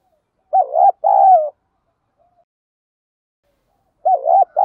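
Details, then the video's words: Spotted dove coos for training decoy birds, field-style 'giọng đồng' calling coo: a quick wavering double note run into a longer, slightly falling coo, then silence until the next phrase begins about three seconds later. "chim cu gáy thúc gù & gáy gọi, cu gáy giọng đồng, gù thúc, tiếng đồng gáy gọi"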